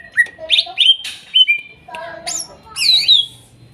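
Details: Greater green leafbird, forest-sourced from Kuningan, spotted and masked individuals, song for a bird that stopped singing: a rapid run of rising whistled notes, then varied slurred and buzzy phrases ending in a wavering whistle.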